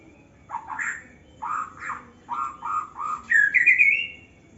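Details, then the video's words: Young white-rumped shama singing in an aviary in Indonesia: a series of short warbled phrases around mid pitch, then a higher rising whistled flourish near the end, with pauses between bursts. "murai muda aviary"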